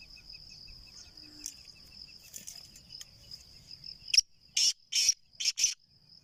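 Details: Home-bred black francolin that roams freely, calling loudly: one sharp click followed by a quick grating series of three or four coarse, scratchy bursts. Continuous shrill insect whine and soft ticking sounds fill the background.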